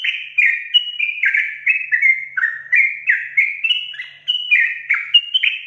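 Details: Sooty-headed bulbul delivering a long continuous 'ropel panjang' song, a steady stream of slurred, falling whistled notes repeated rapidly for nearly six seconds without pause.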